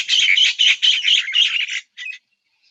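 A myna gives six harsh, scratchy squawks in quick succession over about two seconds, then a single shorter squawk after a brief pause.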